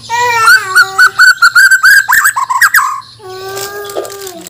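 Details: White-rumped shama of Borneo, a Banjar bird prepared for contest singing, gives loud rich whistled notes with strong overtones, then a rapid run of sharp chattering notes, and ends on lower drawn-out whistles.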